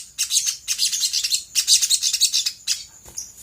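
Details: Rapid bursts of high, scratchy twittering from a sooty-headed bulbul, played as a lure to provoke other birds into replying; three dense chattering phrases separated by short gaps, ending in a few thin chirps.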